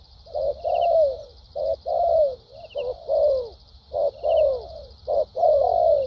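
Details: Good-voiced decoy spotted dove cooing in lèo dặm and thúc gù manner: repeated phrases of short coos leading into long descending coos, about a beat per second, over steady high-pitched buzzing.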